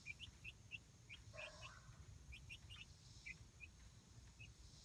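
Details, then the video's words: Light Brahma chicks about a month old enjoying playtime in their coop-run outdoors. Bright, thin peeps come in quick bursts, then space out toward the end, over a soft low-pitched outdoor rumble. "Light Brahma Chicks Enjoying Outdoor Playtime"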